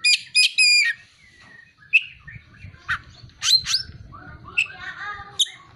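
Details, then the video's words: Kacer (Oriental magpie-robin) song carrying mimicked ciblek (prinia) and kolibri (sunbird) phrases: loud harsh rasping bursts, thin high whistles and chattering notes in quick, uneven succession, with a soft low rumble in the background. "Kacer (materi ciblek dan kolibri)"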